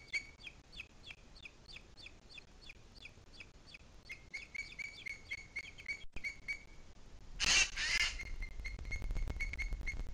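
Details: Booted eagle, Sierra de Guadarrama, 2 July 2021: a regular procession of sharp, high piping calls that merges into a continuous ringing note, then a loud rushing burst and a few spaced whistles.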